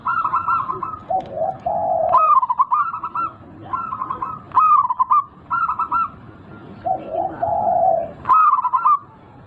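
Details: Big-voiced local zebra dove as a lure to stimulate a lazy bird: repeated bursts of stuttering trilled coos mixed with low buzzy coos, pattern recurring several times.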